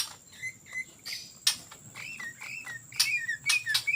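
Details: Greater green leafbird in full ngetrok song, offered as a lure for other birds: thin whistled notes, several sliding downward, scattered among sharp clicks and snaps. A steady high tone hums throughout.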